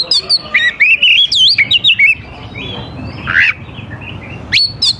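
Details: Oriental magpie-robin singing, played to draw young forest birds into replying: a rapid run of clear whistled notes and slurs, then a harsher rasping note and a final sharp upward whistle.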